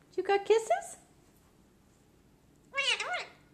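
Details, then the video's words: Pet male Lutino Indian ringneck parakeet, three years old, talking indoors; two short bursts of nasal, warbling, speech-like syllables separated by a pause of nearly two seconds, with quiet room noise. "TALKING CLEAR - INDIAN RINGNECK PARROT"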